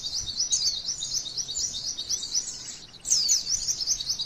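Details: Long rolling shots of a female white-eye, sung as lure material for other white-eyes: a thin, fast, buzzy-edged chatter that pauses just before three seconds, then resumes louder.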